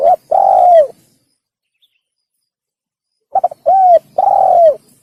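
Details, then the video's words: Spotted dove, or tekukur, cooing as a hunting lure: a long bowed coo opens, then silence, then a new phrase of quick stuttered notes, an arched hoot and another long falling coo. "Pikat Burung Tekukur / Suara Burung Tekukur | The Sound of The Turtledove"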